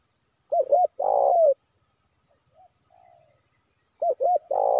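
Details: Spotted dove calling as a lure for wild birds, two brisk notes then a long rough coo falling in pitch, repeated twice, with quiet soft coos in the gap.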